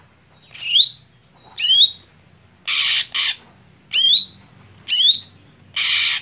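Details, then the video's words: Green leafbird (cucak hijau) setting for contests when the bird is slow to perform: high slurred whistles descending in pitch, paired with short harsh buzzy bursts, about one note per second. "Setting Khusus Cucak Hijau Saat Lomba Lamban Panas / Telat Kerja"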